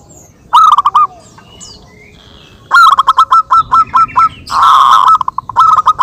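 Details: Local zebra doves trading calls, a recording meant as a lure: a short pulsed coo, then a long run of rhythmic repeated cooing notes and a dense, loud rolling phrase, with faint high bird chirps early on.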